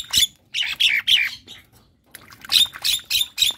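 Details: Javan myna, a semi white-eyed bird caged in a keramba and singing actively after bathing: harsh squawking, chattering bursts in two runs of about four notes each, with a short pause between the runs.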